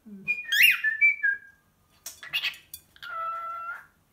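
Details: Male pet cockatiel from the Czech Republic imitating the greeting "ahoj": a squeaky rising-falling two-part word, a burst of harsh chatter, then a level whistled note under a second long, indoors.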